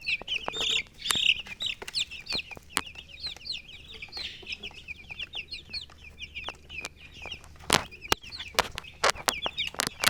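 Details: A group of baby chicks chirping continuously, high rapid peeps with downward slides, mixed with frequent sharp clicks and knocks and a low hum.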